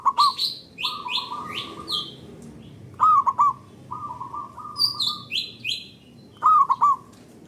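A zebra dove gives soft, rolling cooing phrases, repeated every couple of seconds, while higher, thin chirps from other small birds are heard between them.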